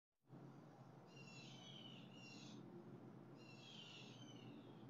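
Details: Blue jays recorded on July 7, 2020: two bursts of harsh, raspy calls with layered overtones, about a second each, over a steady low rumble of background noise.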